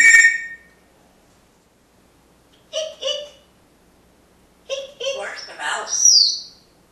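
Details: Pet African grey parrot kept at home in Texas, trained with positive reinforcement, squeaking like a mouse on cue: a sharp high squeak at the start and a rising-falling squeal near the end, with a woman's voice asking where the mouse is in between.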